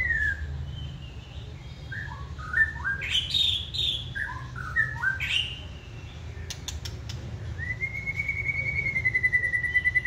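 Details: Caged, wild-caught White-rumped shama in its second season, said to sing readily and flare its tail when stirred up: varied clear whistled phrases, rising and falling, ending in a long steady whistled note, over low background hum.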